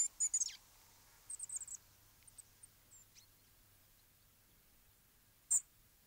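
Eurasian treecreeper giving very high, thin, sibilant 'srrih' notes, a few in quick succession at the start and one more after a pause; otherwise quiet.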